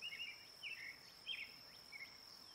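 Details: Brown-headed cowbird giving short burry, slurred notes in a loose series, some rising and some falling, over a steady high insect drone.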